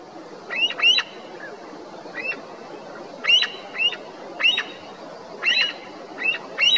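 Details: Himalayan snow partridge in high-altitude Uttarakhand mountains, Srikantha valley, upper Garhwal Himalaya, below a snow tongue above the tree-line; loud piercing squeals given in short paired bursts every second or so over a steady wind-like hiss.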